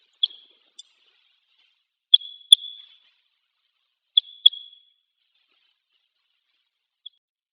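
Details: Red crossbill, found in a pine grove behind a school on Hegura Island, Japan, and coming to drink water, gives sharp, metallic 'kip-kip' notes, mostly in quick pairs about two seconds apart, against a quiet background.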